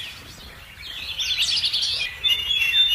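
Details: Plaintive cuckoo chick in the nest, pushing its two foster siblings out; high, thin chirping notes run together in a dense buzzy stream, growing louder and more continuous toward the end.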